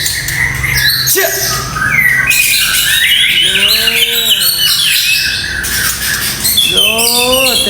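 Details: White-rumped shama of the supak type with a 25 cm tail, singing a full repertoire of harsh 'tembakan kasar' shot phrases: loud, dense bursts of sharp chirps, sweeps and rapid trills, while a man talks over it repeatedly.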